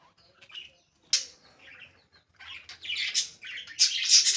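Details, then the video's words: Pet budgerigar chirping indoors in bursts of high, scratchy twittering with quiet gaps, the calls growing busier and louder toward the end, with faint wing flutters. "budgie chirping sounds"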